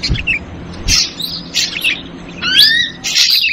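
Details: Ashy drongo lure call, noisy trucukan version: scattered sharp chips and short bursts, then a loud pair of stacked upward-sweeping whistles, followed by a harsh burst.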